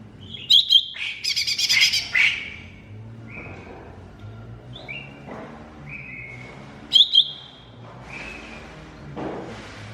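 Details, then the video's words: Masteran song of a cucak ijo mini (green leafbird): sharp notes and a loud buzzy trill burst, followed by a string of clear, short whistles and another sharp double note, with background hum. "MASTERAN CUCAK IJO MINI"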